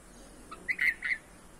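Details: Red-vented bulbul chicks being fed by a parent in a home garden give three short, harsh, squeaky begging notes in quick succession over a quiet background.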